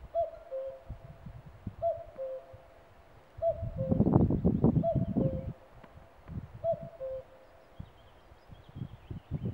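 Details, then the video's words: Common cuckoo calling: a clear two-note cuck-oo, the second note lower, repeated about every one and a half seconds, five times, with bursts of rustling and handling noise in the background. "кукушка кукует"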